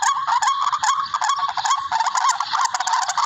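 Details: Barred rail, or tikling, calling for use as a bird-hunting lure: a rough, nasal, wavering chatter of fast pulsed notes, unbroken throughout.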